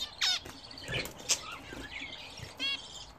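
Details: Pet budgerigars kept in a cage at home, using a bath hung on the cage for the first time. A few short harmonic chirps sound amid wing flutters and splashing-like patter.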